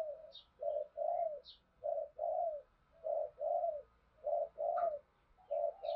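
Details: Spotted doves in Đồng Nai, Vietnam, cooing as a lure to stir other doves: steady paired coos, a shorter note then a longer falling one, repeated about every second, with occasional high chirps from other birds.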